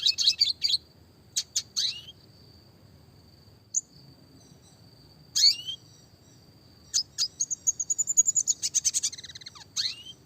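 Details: Clear classic red siskin song for small-bird training with rolling variations: scattered high chirps and sweeping notes between quiet gaps, ending in a long rapid series of rhythmic twitters with a thin whistled tone running beneath.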